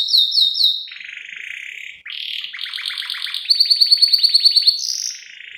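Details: Canary, described as a female luring the male, in cengkok isian style song: high whistled notes, then buzzy sustained trills and a fast rolling series of repeated notes, ending on a bright rising tone.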